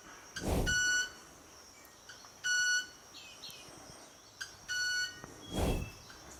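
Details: Male club-winged manakin producing three ringing, violin-like, metallic wing notes by stridulation about two seconds apart, with a couple of sharp snapping clicks between, part of its courtship display.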